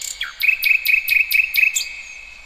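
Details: Songbird heard outdoors in the wild, giving a quick series of about seven sharp, evenly spaced chirps with clicky edges, following a short falling note.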